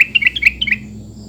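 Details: Sooty-headed bulbul call used to get bulbuls that have stopped singing to answer. A quick run of short, bubbly chirped notes, about eight within one second, over a faint low hum.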